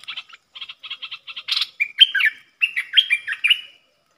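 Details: A wild Puff-backed Bulbul counter-sings against a lure bird in a cage. An evenly spaced run of short ticking notes gives way to a loud, bubbling, slurred phrase of rising and falling whistles.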